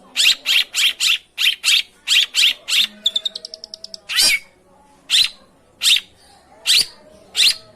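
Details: Long-tailed shrike lure sound used to prompt a silent, reluctant bird to sing: harsh rasping notes in quick pairs, then a fast run of about ten thin ticking notes, then single harsh shrieks spaced roughly a second apart.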